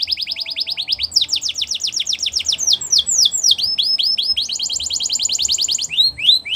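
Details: Canary song for training young canaries: fast repeated downward-sweeping notes in trills, shifting to a higher rapid series, then back to a steady trill with a few slow sweeps at the end.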